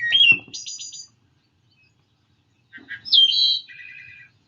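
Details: Wood Thrush, a forest bird often heard before seen, singing two flute-like phrases about three seconds apart, each a few soft low notes, then a clear ringing whistle and a thin, buzzy trill.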